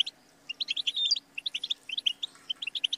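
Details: Short goldfinch phrase: series of bright, bouncy chirps with one thin whistled slur, in two clusters split by a brief pause, over a faint low hum.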